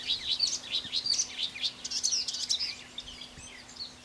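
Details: Blyth's reed warbler (Acrocephalus dumetorum) sings a quick run of varied, high chattering and whistled notes that trails off to softer phrases near the end, with some wind noise in the recording.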